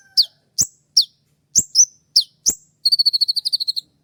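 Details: Kolibri ninja sunbird, spotted variety, giving a sharp 'shot' song used to train other birds, played at dawn; quick falling high chips in close succession, then a rapid buzzy trill of about a dozen even pulses.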